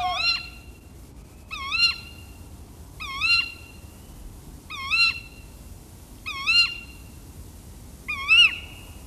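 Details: Tawny owl alarm call from a bird in a tree, in a mix of tawny owl sounds: six short, sharp, twisting calls repeated about every one and a half seconds against a quiet background.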